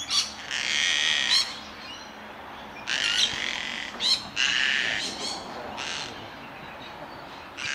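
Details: A male Gang-gang Cockatoo at a tree hollow in Melbourne, Australia, on 8 July 2021 gives the harsh, rasping "creaking door" call in bursts of about a second, some drawn out, some clipped, over quiet background hiss.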